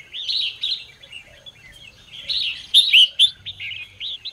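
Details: Red-whiskered bulbul singing in the morning to train and stir other bulbuls; a busy, rich warble of rising and falling whistles, with a loud, bright burst midway.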